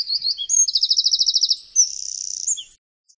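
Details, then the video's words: Very high, energetic Eurasian wren song: sharp twitters running into a rapid, machine-like trill, followed by a buzzy rattle and a few final squeaks before stopping, with quiet background. "Strzyżyk. Odgłosy i Dźwięki jakie wydaje Strzyżyk."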